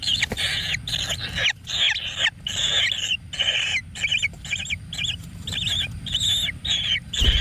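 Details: Young kingfishers in a wild nest, fed frogs, utter a string of short scratchy high notes in quick pulses, each about half a second long, over a constant low rumble.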